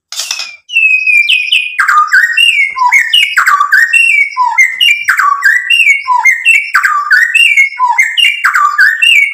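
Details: White-rumped shama in vigorous full song, used as lure audio to provoke other birds into answering: rich, rapid run of loud whistled notes, slurred downward and upward, with sharp clicks and chattering fragments, continuous with no other sounds.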